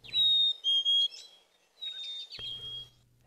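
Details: Black-capped Chickadee, a year-round resident, whistles its clear two-note 'hey sweetie' song, as males sing in spring before breeding: a high pure note sliding to a slightly lower one, given twice, with a faint low hum behind.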